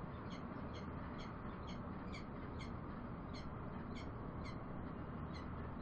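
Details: Bellbird delivering a steady stream of bright, metallic notes at roughly two per second, with continuous deep background rumbling.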